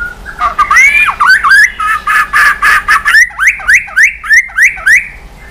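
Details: White-rumped shama singing intensely in the dây yến style, switching voices while flicking its tail continuously; a sweeping whistle then a fast run of loud, downslurred notes repeated about three times a second.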